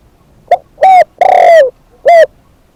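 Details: Single full coo phrase from a decoy spotted dove: a tiny pip, a smooth bent hoot, a long rough coo sliding down, then a final short hoot.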